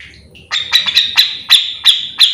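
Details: Grey-cheeked bulbul in 'gacor' style for use as a lure: a string of bright, ringing notes repeated irregularly, several per second, over a soft low rumbling background.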